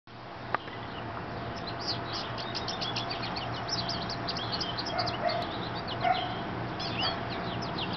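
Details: A male American goldfinch in a birch tree in summer sings a fast, rambling run of high, twittering notes that pause briefly, then resume, over a faint low, steady hum.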